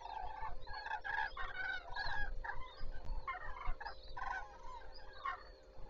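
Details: Common cranes beginning their day on Zastawie reservoir, September 14, 2023: many birds trumpeting at once in a busy, ringing chorus of short rattling calls that rises and falls in loudness, with a faint steady hum.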